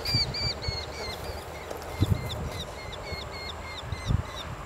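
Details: Eurasian hobby (Falco subbuteo) giving a run of sharp, ringing 'kew-kew' notes, repeated briskly and evenly and slowing slightly mid-series, with low wind-like rumble and occasional thumps behind.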